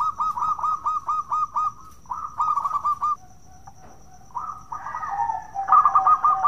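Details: Local Zebra Doves giving 'bekur' cooing song, played to prompt other doves to sing: rapid runs of soft rolling coo notes about two or three per second, a low sustained coo, then overlapping coo bursts; faint high hum throughout.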